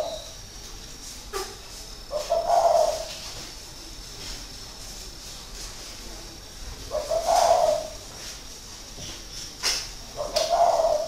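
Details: Caged spotted dove, a seasoned decoy bird kept six years in a cage, from a dove aviary in Ba Vì, northern Vietnam: three low, hoarse cooing phrases spaced several seconds apart, with faint background hiss.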